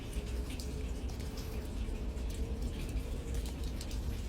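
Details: Indoor dripping and light rain-like patter fill the room, with a faint steady tone underneath and no animal calling.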